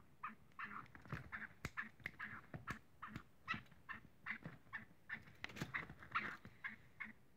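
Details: A black francolin (Francolinus francolinus) in high spirits gives a rapid run of harsh, scratchy notes, several every second, with sharp clicking sounds mixed in.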